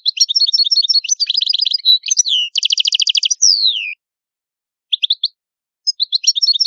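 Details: Italian goldfinch singing a fast, rich song: rapid twittering high notes, a buzzy drawn-out note, a dense even trill near two seconds, then a long sliding downward note, a short silence, and renewed twittering, with no other sounds.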